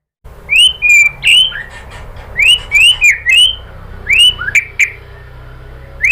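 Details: White-rumped shama (murai batu) singing in an Indonesian lure track intended to set off song: loud, clear, upslurred and downslurred whistles delivered in short bursts with pauses between, over a quiet low hum.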